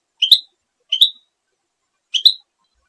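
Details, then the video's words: Goldfinch: three short, high chirping calls, each a quick double note, spaced irregularly over about three seconds with silence between them. "Canto del Jilguero"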